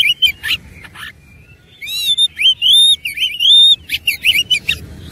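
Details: Fighting oriental magpie-robin in persistent song with a rich mimicked fill-in: harsh buzzy bursts, a short quiet gap, then rolling whistled phrases and sharp chirps.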